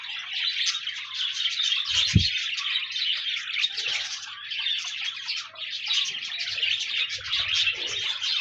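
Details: Several pet budgies chatter together in a steady, busy stream of squeaky warbles and twitters, offered as company for a lonely budgie to prompt singing; a single low bump is heard early on.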